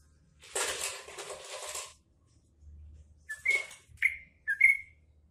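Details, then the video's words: Sooty-headed bulbul with cucak ijo (green leafbird) song learned as fill-in: a loud rustling noise burst, then three sharp whistled notes, each a quick upward flick into a steady tone, spaced about half a second apart. "Trucuk isian cucak ijo"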